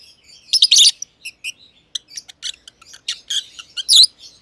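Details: Green personata and green pied personata lovebirds in an aviary trading quick, thin, high chirps and a few louder scratchy bursts, a busy twittering chatter.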